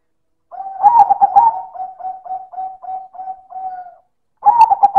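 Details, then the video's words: Loud, distinctive cooing from a silver perkutut (zebra dove): a pulsed phrase flows into about eight short level coos, then a new rapid pulsed phrase starts. "Suara Perkutut Silver - Manggung Keras dan Istimewa"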